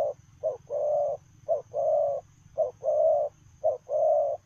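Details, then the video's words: Spotted dove cooing in the 'lèo rồng' style while running: four paired phrases, each a short low coo followed by a longer, fuller coo, about one pair per second, over a steady low hum. "Gù Lèo rồng vừa chạy vừa gù"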